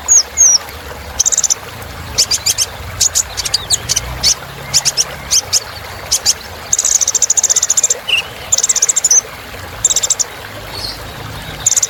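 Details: Kolibri Ninja sunbird filler song for training birds: very high, rapid buzzy trills and ticking bursts repeated in short runs, with an occasional lower chirp.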